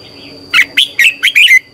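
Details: Red-whiskered bulbul morning song for training birds: a single rapid phrase of five sharp, slurred whistled notes, rising then falling, lasting about one second.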